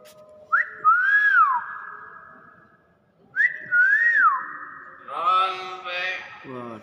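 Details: Common hill myna whistling, recorded to train other birds. Two similar clear whistled phrases, each rising then bending down and falling, are followed by a harsher, voice-like rasping phrase. The setting is quiet.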